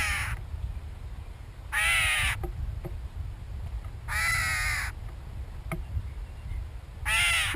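A Gray Catbird gives three harsh, nasal, cat-like mews, each about half a second long and spaced roughly two to three seconds apart, over a low background rumble.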